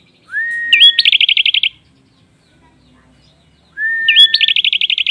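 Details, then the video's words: Prinia singing a rich, varied song meant for tutoring other birds: a slurred rising whistle leads into a hooked note and a rapid run of about ten sharp, buzzy high notes, with a silent gap before the next phrase. "PRENJAK ISIAN MEWAH. COCOK BUAT MASTERAN SEGALA BURUNG."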